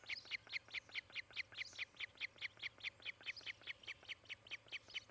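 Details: Osprey calling at a camera-watched nest near Charlo, Montana, 18 July 2018, late morning: rapid, regular squealing chirps, some doubled, repeated over two per second without a break, backed by a faint low drone.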